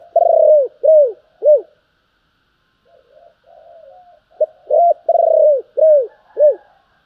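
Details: Spotted dove giving urging and calling coos: loud, arching coos in a quick series, a pause with soft low cooing, then another burst of arched coos, one long and drawn out.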